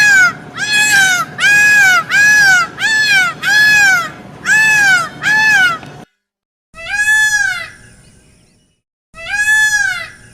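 Peacock giving loud, wailing, cat-like calls, each rising then falling, about eight in quick succession, then two more after short pauses.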